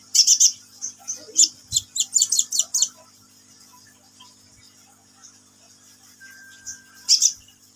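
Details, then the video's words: Sunbird in full voice gives a fast burst of piercing high chirps, pauses, then a lone thin tone and a final sharp chirp cluster; soft background hum. "KICAUAN BURUNG KOLIBRI NINJA GACOR"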